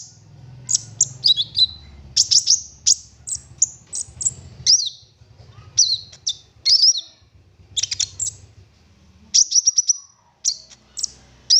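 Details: Lively olive-backed sunbird song in a burst-filled 'full nembak' style, used as a lure to get other sunbirds singing: rapid high sharp chips, quick stuttered trills and downslurred whistles in clusters over about twelve seconds, with a soft low rumble.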